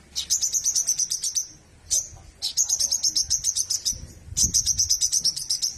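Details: A white-rumped shama sings three rapid bursts of shrill, evenly repeated high chipping notes, each lasting over a second with a short pause between, the final burst louder; faint low background noise.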